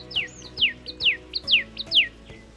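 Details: Common Tailorbird, a tiny bird of city gardens in India, giving loud, sharp, high notes that slide downward, repeated about twice a second, with a faint musical hum behind.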